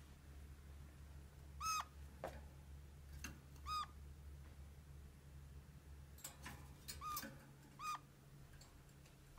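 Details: Indoor red-crowned parakeet calling in short, piercing squeaks with a falling tail. Two calls come early, then a pause, then a quick cluster of several more. A low hum and soft background clicks sit underneath.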